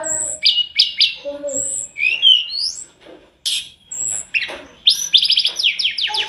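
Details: Tledekan gunung, or Sunda robin, in full song for a training master: high thin whistles, swooping slurred notes and low soft notes, breaking into a fast rattling run at the end.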